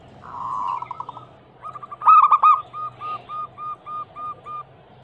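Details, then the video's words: Local zebra dove (perkutut) lure sound, a female calling a male to make other doves sing. A soft purring trill, then a loud stuttered coo burst followed by seven evenly spaced, fading short coos. "Atasi burung perkutut MACET BUNYI - Pancingan Manjur Langsung Nyaut"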